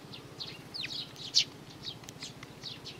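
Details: Three sparrow nestlings calling, recorded 12 May 2019: a steady run of thin, high chirps and short rising squeaks, closely spaced and overlapping, with one sharper louder cheep near the middle and another at the end.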